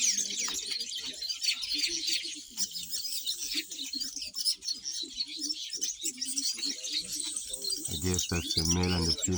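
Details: Nesting black-winged weavers on a homestead, yellow and black birds working on a nest: a steady wash of high sizzling chatter from many birds, with low rumbling noise and a deep vibrating sound near the end.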